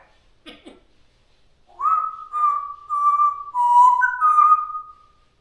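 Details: Pet African grey parrot, a bird that imitates open-mouth chewing noises and Darth Vader breathing. A brief crackly clicking comes first, then a sustained wavering whistle lasting about three seconds that steps between a few pitches before fading.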